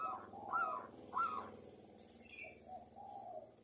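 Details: Local Zebra Dove song used as a lure to prompt other zebra doves to sing: a few mellow, ringing cooing notes, the first two louder and spaced about half a second apart, then softer trailing notes against faint background hiss.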